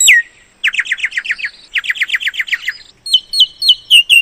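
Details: Myna giving a downslurred whistle, two rapid trilled runs of short notes, then clear, evenly spaced stepped whistles.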